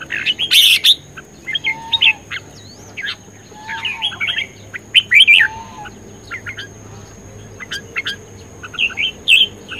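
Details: Vigorous competitive song of a red-whiskered bulbul. Bursts of lively warbled whistles come in quick runs separated by short pauses, with a soft, low, drawn-out whistle heard now and then behind them.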